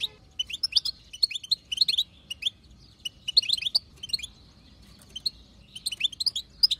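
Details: Wild-caught European goldfinch, described as female chatter used to prompt a male to sing: bursts of high, rapid twittering notes in short clusters about every second, separated by brief pauses, over quiet low background hiss.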